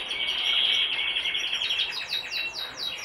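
Brambling calls: quick, high, down-slurred chips, about four a second, over a steady thin high buzz, as if several birds call together.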